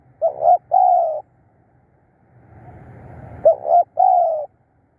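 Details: Spotted dove serving as a decoy to lure wild birds repeats a coo phrase twice, two quick notes then a long soft falling coo, with faint rustling between.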